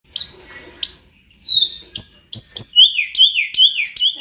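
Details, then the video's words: Tledekan gunung in a master recording for training other birds, singing busily with varied fill notes: sharp high chirps, a long descending whistle, then a run of repeated falling whistled notes about every third of a second. "Masteran TLEDEKAN GUNUNG gacor dor istimewa full isian"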